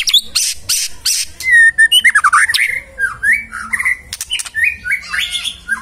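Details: Magpie-robin singing energetically: a fast burst of sharp repeated ticks, then a sequence of varied whistled phrases, some rising and some falling, delivered in quick succession with brief pauses.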